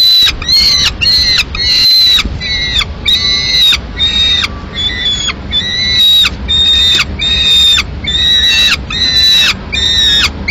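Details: Peregrine falcon chick, a lone nestling in Madrid, Spain, on 22 May 2016, demanding food as the female eats a swift brought by the male; repeated high, thin, harmonic whining wails, about two per second, with faint low background rumble.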